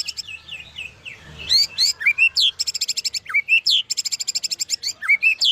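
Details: Medan white-rumped shama singing a rich varied song, with slurred downward whistles followed by fast bursts of piercing repeated notes and sweeping upslurs.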